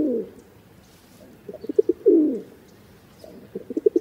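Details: Rock dove cooing: the tail of one coo, then stuttering soft notes and a rolling, falling coo, with a fresh burst of short pulses at the end.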